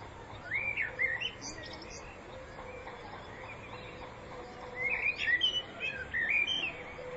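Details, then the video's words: Singing common blackbird, spring 2014: a short warbled whistle phrase early on, a long lull, then a louder, richer run of rising and falling fluted notes topped with high chirps. "Chant Du Merle Noir au Printemps"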